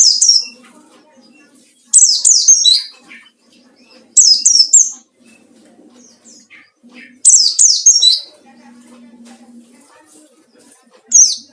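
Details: White-eye singing in wild-style 'ngalas' manner, seeking rivals, used as a lure; very high, rapid cascades of descending twittering notes in bursts of about a second, repeating every two to three seconds, with quiet gaps and faint low hum.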